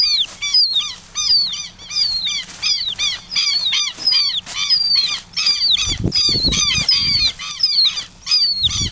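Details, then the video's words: Southern lapwing chick picked up by hand, later released: rapid series of high, thin, downslurred peeping calls, about eighty per minute and irregularly spaced, with low handling rumbles in places. "filhote de quero-quero"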